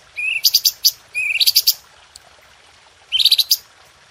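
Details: Red-whiskered bulbul singing for a cage-bird training recording: three phrases, each opening with a short rising whistle and then a fast burst of bright, sharp, high notes, with pauses between them.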